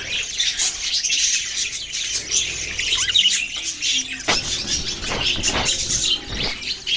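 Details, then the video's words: Several budgerigars, Australian parrots, keep up a steady high twittering chatter. A few low knocks and short tonal sounds come in underneath during the second half. "Birds chirping sounds Beautiful Australian parrots video"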